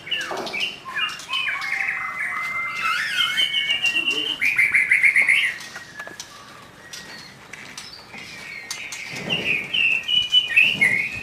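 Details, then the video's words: Young wild white-rumped shama, forest bird with a loud voice, singing rich varied whistles and a rapid rattling trill, then long sustained high notes. "Murai muda hutan volume tembus - Burung kicau"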